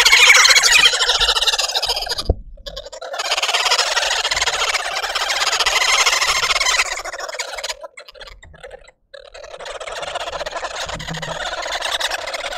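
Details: Red-billed woodhoopoe family group causing a commotion in a suburban garden in Pretoria, South Africa: loud, dense, rapid cackling chorus of many overlapping harsh chattering calls, in bursts of several seconds separated by brief pauses.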